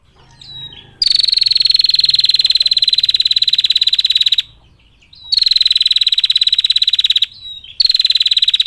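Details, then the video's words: A female bar-winged prinia calling males delivers a long 'ngetir' trill: one unbroken shrill ticking burst lasting over three seconds, then two shorter bursts, each led by a thin slurred whistle. "Masteran Prenjak Betina Ngetir Panjang, Suara Jernih Memanggil Prenjak Jantan"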